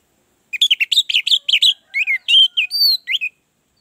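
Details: Orange-headed thrush in a lure recording meant to prompt other birds to sing, giving a quick, varied run of high, bright whistles and chattering notes for about three seconds, with nothing else audible.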